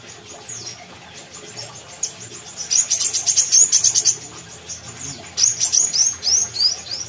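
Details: Brown-throated sunbird from Kalimantan singing vigorously: after a faint, quiet opening come two bursts of rapid, piercing high chirps mixed with quick upslurred notes.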